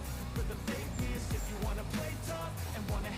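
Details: Loud pop-style music with a thumping beat, plus some speech and no animal sounds.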